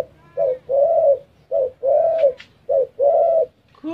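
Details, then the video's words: Close, clear cooing of a spotted dove indoors: three rounds of a brief note then a drawn-out, even coo, with a faint higher squeak in between. "Tekukur Pandai Berbicara"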